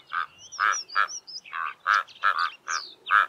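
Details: Karoo korhaan pair duetting in early morning on an open plain in the southern Karoo: harsh, frog-like croaks about three times a second, alternating quickly, with thin high whistles from another bird behind.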